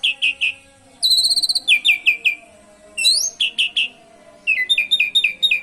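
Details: Asian pied starling song with canary imitations, used to encourage other birds to sing: clear downslurred whistles in groups of three to five, a high buzzy trill and quick chirped runs.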